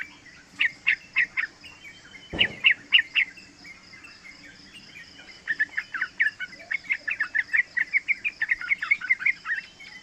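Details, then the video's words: Yellow-vented bulbul, a three-month-old bird, singing as a lure and training model for other bulbuls. Short groups of chirps open the phrase, followed by a sharp knock, then a long rapid run of bubbly notes. "Panggilan trucukan muda AMPUH buat Pancingan trucukan agar bunyi ropel"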